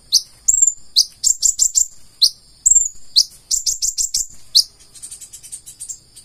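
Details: Purple-throated sunbird in vigorous gacor full isian song: sharp rising chips, thin level whistles and quick chattering runs, ending in a soft fast trill.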